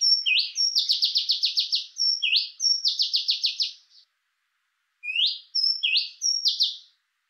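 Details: Oriental magpie-robin singing in Thailand: high, rising whistled upslurs, each followed by a quick series of buzzy, evenly repeated notes. The phrases repeat after a short silence in a clean, quiet recording.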